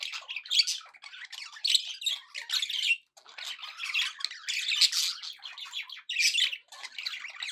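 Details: Happy budgie chatter from pet birds: loud grating squawks and quick warbled trills come in clusters, with short silent gaps around three and six seconds.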